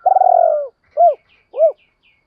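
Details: Spotted dove coo for luring wild doves: one long purring note that slowly drops, followed by two rounded, hollow hoo notes, evenly spaced about half a second apart.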